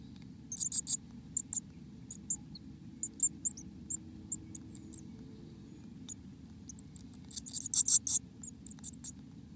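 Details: Black-capped chickadee inside its nest: bursts of very high, thin, short chips in quick clusters, loudest around the start and again near the end, over a steady low hum.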